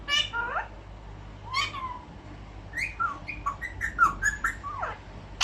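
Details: Pet albino ring-necked parakeet talking in a room, giving scattered short whistled and chattering syllables, a falling slide near the start, then a denser burst of clipped notes toward the end.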